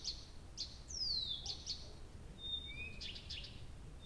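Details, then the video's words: Nightingale at night in Abramtsevo, early June, recording begun 23:00 on 6 June 2021: clicks around a falling whistle, then a flat sustained whistle and a lower rising one, ending in rough chattering notes. "Соловей поёт всю ночь"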